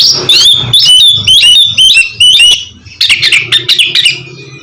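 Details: Oriental magpie-robin song used to make a reluctant bird sing: a quick run of loud, sweeping whistles and sharp chirps, then a burst of rapid scratchy notes over a faint low hum.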